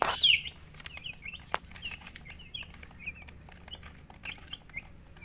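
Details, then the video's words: Chicken chirping: scattered thin high peeps after a louder opening squeak, with light taps and rustling between notes. "silly chicken chirping sounds"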